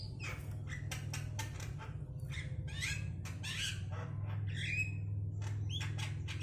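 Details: Black-naped oriole, a kept bird described as still singing freely, gives a rapid, irregular run of harsh, rasping squawks with a few nasal upslurred notes, about three per second, over a steady low indoor hum.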